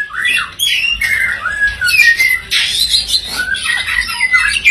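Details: Green leafbird song used to excite a white-rumped shama to sing: varied whistled slurs, squeaky chatters and rising and falling notes tumbling together in a busy, rich stream.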